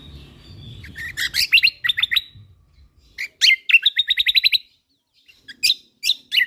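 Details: Lombok white-eye singing vigorously in a training recording for songbirds: bursts of high, rapid chattering notes in quick trills, interrupted by short pauses, with sharp separate chirps near the end.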